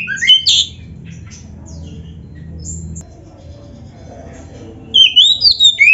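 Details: Oriental magpie-robin giving gacor isian song: a short burst of high, slurred whistles, a long near-silent gap, then a fresh run of swooping, twisting whistled notes.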